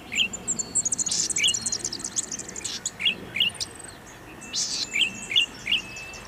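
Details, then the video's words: Golden-headed cisticola song of bright, clipped 'lik' notes given singly and in pairs, mixed with short buzzy bursts, against a hiss of background noise and faint high whistles from other birds. "Cengkok merdu burung imut branjangan mini cici padi kepala mas"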